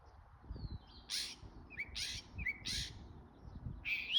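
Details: A bird making different sounds: four harsh, noisy bursts spaced about half a second to a second apart, with short thin chirps between them, over a low rumbling background.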